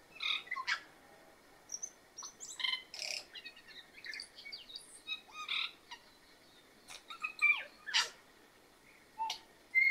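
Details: Tui calling on Stewart Island, New Zealand: an irregular mix of sharp clicks, wheezy rasps and clear ringing whistles, with short pauses between phrases against a quiet background.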